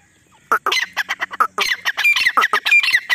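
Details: Calling female grey partridge (desi teetar) in jungle, her voice used for hunting; a loud, harsh, rapid run of squawking notes, some carrying brief whistled tones, tumbling together for about three seconds.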